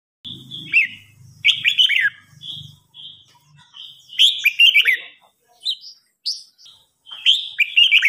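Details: Red-whiskered bulbuls in a singing duel, a mature bird challenging an agitated young newly caught bird, pour out bright, warbling chirped phrases in bursts of about a second, swooping up and down, with a low muffled rumble early on.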